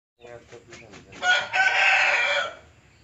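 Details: Hen crowing, filmed from a distance: a few soft broken notes, then a loud strained crow of about one second with a rising start and a held, hoarse middle before fading.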